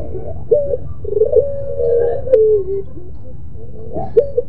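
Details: Pelung Barbary dove, a long-voiced type kept in a cage, sounding a soft opening note, then a sustained low coo that dips in pitch near the end, followed by quieter short coos over a steady hum.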